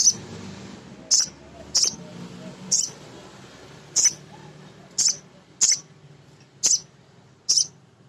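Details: Male sogon, a small nectar-eating sunbird, gives crisp, high single chips about every second, used to excite other sogon birds into singing, above a steady hiss and low hum.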